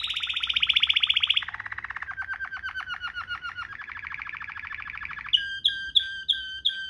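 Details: Waterslager canary song recorded as a tutor for canaries: a bright fast trill drops to slower, lower rolling pulses, rises into a mid-pitched roll, then ends in spaced, sharp whistled notes.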